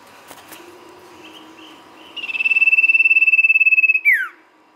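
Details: Sirtu (ashy tailorbird) singing as a lure: after soft background sounds, a steady, fast-pulsed trill on one high pitch runs almost two seconds, then drops away in a swift descending slur.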